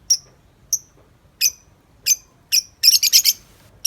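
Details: Out of its cage, a tame lovebird keeps up its 'ngetik' chatter: spaced sharp chirps every half second or so, then a rapid burst of four or five gritty notes run together.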